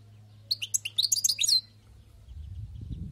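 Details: Rapid liquid twittering from a wild-caught European goldfinch, about a second long, then a rising low rumbling noise takes over.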